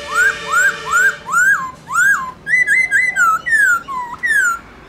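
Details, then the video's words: Caged black-throated laughingthrush singing to urge other laughingthrushes to sing; clear rising whistles repeated evenly, then a string of falling and flat whistled notes. "Khướu Hót RÉO Kích Khướu Bạn Căng Lửa Sung Mãn Hót Nhanh"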